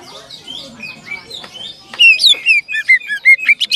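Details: Greater green leafbird in long 'ngerol' rolling song. It opens with soft, scattered chirps, then bursts into a loud run of sharp, clear whistled notes, each slurring down and following fast on the last.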